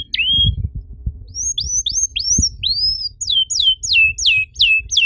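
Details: Canary singing as a lure so other canaries start to sing: a flat whistle, then rising arched notes and a run of sharp downslurred whistles, over low rumbling background noise.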